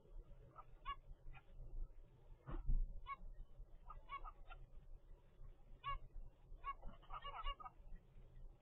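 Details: Zebra finch chick, 25 days old, from a first clutch raised by captive zebra finches; short nasal harmonic calls repeated irregularly at roughly one-second intervals over a steady low hum, with one louder rasping note midway.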